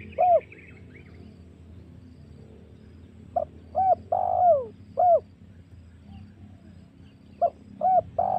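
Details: Lure recording of a spotted dove, meant to provoke wild doves for hunting. Sparse coo phrases: paired short notes, a long falling coo, and a final clipped note, with long quiet gaps and a faint higher sound at the start.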